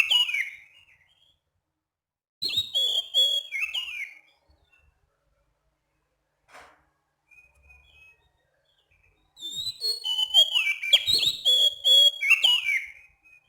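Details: Night-time calling of an oriental magpie-robin, a Sumatran forest bird: clear, rhythmic bursts of high whistles and quick slurred notes, separated by long silent gaps with a faint note or two between them.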